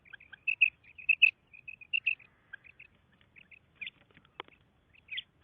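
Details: Female common quail calling: pairs of short, bright whistled notes repeated unevenly over a quiet background, then a few fainter notes and a sharp click near the end.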